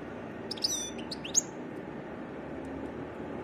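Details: European goldfinch with varied song: a few sharp high chirps and a thin rising whistled note in quick succession, then quiet apart from a low steady hum.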